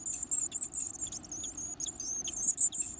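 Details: Hungry varied tit chicks being fed large insects: steady high, thin, buzzing calls in short pulsing bursts, some sliding slightly downward, with no other sounds.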